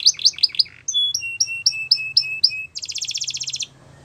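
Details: Canary song used for training young canaries to sing: a run of four quick descending chirps, then a series of repeated clear whistled notes, ending in a rapid buzzy high trill lasting almost a second.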